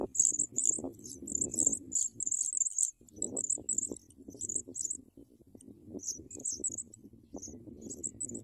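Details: Young Sprague's pipits beg while a parent delivers big worms. Strings of sharp, high-pitched cheeps run almost continuously with short gaps, over steady scratching and rustling movement in the nest.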